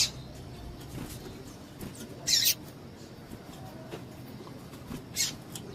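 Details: Calls of a female double-collared seedeater meant to stir up males ahead of singing contests: two brief, bright, high-pitched peeps about three seconds apart, with faint low background noise between them.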